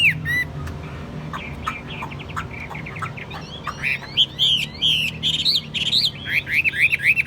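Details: Chinese hwamei kept caged, described as a good, tame singer, starting with quiet scattered notes, then breaking into loud repeated looping whistles that quicken toward the end, over a constant low hum.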